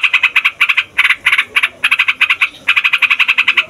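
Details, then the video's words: Yellow-vented bulbul of fighter type giving a long, noisy rolling song used to provoke other songbirds and lure wild bulbuls: rapid bursts of harsh, nasal notes, about eight per second, in runs broken by brief pauses. "TRUCUKAN FIGHTER NGEROLL PANJANG BIKIN SEMUA JENIS BURUNG OCEHAN EMOSI"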